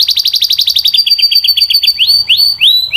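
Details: Canary singing a quick run of repeated chirped syllables, then slower rising whistled notes with bright overtones.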